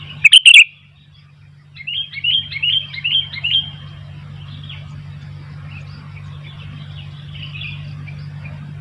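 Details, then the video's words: Sooty-headed bulbul singing vigorously as wild bulbuls become active: one loud chirpy burst, a pause, then a string of five or six quick warbled notes fading into softer distant chatter over low hum. "Burung kutilang gacor ..sampai kutilang liar jadi ramai"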